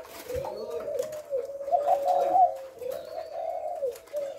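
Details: Spotted dove giving low, rounded coos in a run of connected phrases, slightly louder in the middle, with light background clatter.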